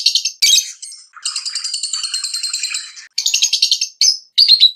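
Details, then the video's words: Lovebirds chirping excitedly for mating, short sharp shrill bursts, then a sustained buzzy rattling chatter, more clipped chirp series and a few squeaky whistled notes at the end. "أحسن صوت تغريد هائج لتزاوج طيور الحب"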